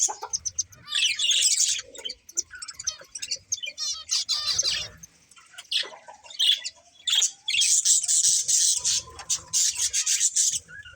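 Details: Budgerigar breeding pair giving busy high chatter: rapid buzzy chirps and squawky notes in clustered bursts separated by short quiet gaps, with a louder stretch of continuous warbling near the end.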